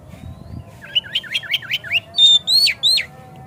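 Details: Oriental magpie-robin lure song to provoke singing and tail opening: a rapid run of six or seven up-and-down chipping notes, then three louder, longer, high whistled phrases, each slurring upward, over a soft low background hum.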